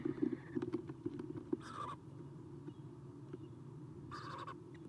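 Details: Eastern screech owl owlets, three in a nest box, morning of 30 April 2016: rapid knocking and scratching clicks, then two short hoarse hissing rasps about two and a half seconds apart, over steady low hum.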